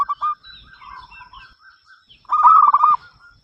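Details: A local zebra dove (perkutut) in song, used to prompt other doves to sing: soft, low cooing notes ending in a loud, rapid rolling trill near the close.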